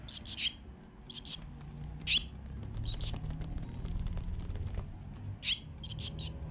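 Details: Swallow nestlings in their nest, sunny 8 April 2020, being fed and starting wing-flapping practice before fledging. Short bright chirps come in quick clusters of two or three, spaced a second or more apart, over a low background rumble.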